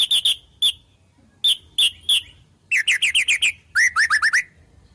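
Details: White-rumped shama singing a song full of fill-in phrases from wild birds: paired sharp high chips, then a rapid run of bright downslurred notes and a quick series of swooping whistles.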